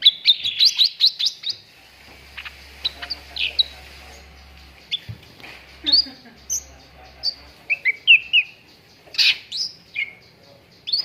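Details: Cucak ranting singing as a training recording for contest birds: bright chirped and whistled notes in quick bursts, some rising and falling slides, with short pauses between phrases.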